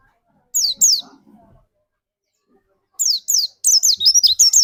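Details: White-eye song used as a trigger for another bird's singing, Indonesia. Two isolated high slurred notes, soft low rustling, a pause, then spaced chirps building into a quick twittering phrase.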